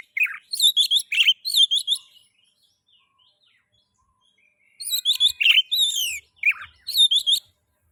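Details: Oriental magpie-robin song played to prompt other magpie-robins into singing: two bursts of rapid, varied chirps and slurred whistles, about two seconds each, separated by a long silent pause.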